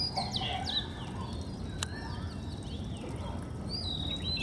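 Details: Oriental magpie-robin singing in the morning, recorded from home in Bengal: clear, varied whistled notes, some sweeping up and down, against a low steady rumble with a single sharp click.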